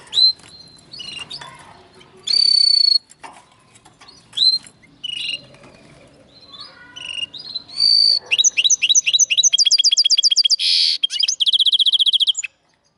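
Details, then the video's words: A linnet and canary cross sings a varied run of loud whistles, chirps and short twittering notes, building into fast rolling trills and a dense buzzy passage before stopping abruptly. "Linnet x canary φανετο χ καναρα"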